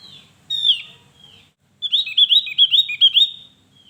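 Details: Javan grey-throated white-eye in full song: a bright, high whistle sliding downward, a brief gap, then a fast, rolling series of about six looping, chattering notes fading into a thin whistle.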